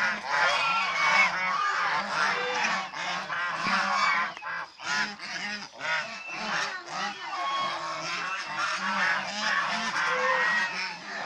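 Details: Domestic swan goose, also called Chinese swan goose, in a flock; rapid, irregular honks at roughly two or more per second from many birds, with a quieter gap around four to five seconds.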